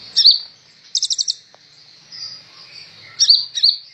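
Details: Kolibri ninja sunbird song for tutoring songbirds; a sharp chip, a quick rattling trill, a long thin high whistle, then two more bright chips close together.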